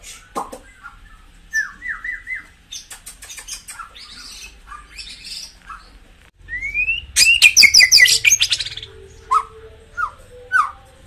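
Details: White-rumped shama song played to stimulate caged birds: varied whistled phrases, short rising notes near 2k, sharp chips and a loud burst of dense high notes midway, with faint background hum.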